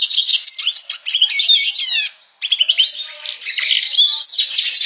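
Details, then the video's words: Red siskin singing 'gacor' style, a vigorous twittering song of quick high chirps and fast descending trilled sweeps, broken by a short gap near the middle before the chattering warble resumes. "Burung Red Siskin Gacor"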